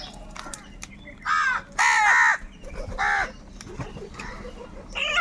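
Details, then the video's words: Crows fighting over food, with two long, loud, grating caws near the middle, followed by a shorter caw and faint calls from other birds in the background. "Crow birds loudly crowing sounds - কাকের ডাক Crow Sound | Kaka sound and noises of crow birds"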